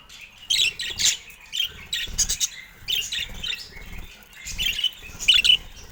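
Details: Pet budgerigar at play with its keeper. It makes quick high chirps and squeaky twitters in short bursts, with soft tapping and knocking thuds from play underneath.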